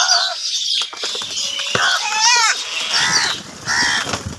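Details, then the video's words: Crows calling while fighting over food, a series of harsh, nasal caws with stacked harmonics, loud and overlapping, in short bursts across a few seconds, with a faint higher call in the background. "Crow bird Fight for Food | Angry kauwa ki awaaz"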